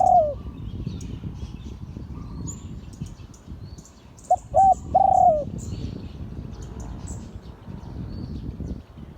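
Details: Spotted dove of an auspicious line singing a Liu Tan style crow. A falling coo tail opens the recording, then after a pause comes one full phrase: two short hollow notes and a long descending coo over a steady rumbling background.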